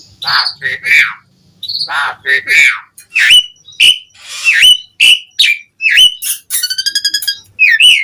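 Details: Asian pied starling in full, varied song: harsh rasping notes and whistles mixed with a run of rapid buzzy pulses, some phrases low and talkative.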